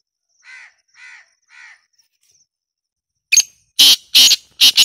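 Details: Black francolin giving three evenly spaced soft buzzy notes, a silent gap, then four loud, rasping, broad notes in quick succession.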